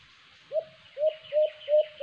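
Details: ['Alimokon or white-eared brown dove at a cage trap: four slower, drawn-out low coos, each rising sharply then levelling, spaced about a third of a second apart, with faint higher chirps behind.']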